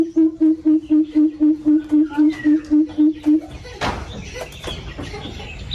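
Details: Coucal calling to its flock inside an aviary: a fast, even run of about a dozen deep, resonant hoots at one low pitch, followed by a burst of rustling noise and faint chirps from other birds.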